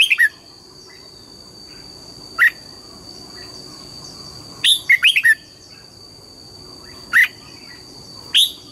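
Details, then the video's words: Red-whiskered bulbul singing in the morning in the double-note wild style: isolated sharp whistles every couple of seconds, plus one quick cluster of four bright notes, with a constant high-pitched tone behind. "Luyện giọng chào mào hót sáng, ép chào mào hót âm kép già rừng hay tuyệt!"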